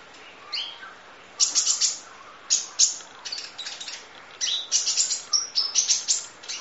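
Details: Masteran recording of a kolibri ninja sunbird in the full 'isian nembak' style: a few soft notes open it, then loud bursts of high, crackling chirps and brief falling slurs follow in quick clusters.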